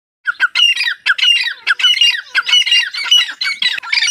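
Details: Grey francolin, several birds including chicks, giving rapid harsh squawking and chattering notes in a dense continuous stream, bursts overlapping throughout.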